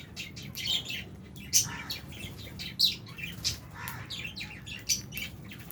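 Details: In an aviary, Fisher's and albino lovebirds eat food alongside budgies, making a steady stream of thin, high chirps and occasional sharper calls, with a faint wingbeat and background hum.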